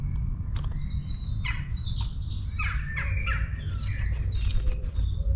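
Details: Long-tailed tits in a town giving scattered high twittering chirps and brief sweeping notes, somewhat sparser and softer, over a constant low rumble of background noise.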